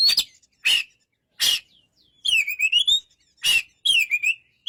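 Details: White-rumped shama: isolated loud harsh bursts spaced about a second apart, interleaved with sweeping whistled phrases that dip and rise.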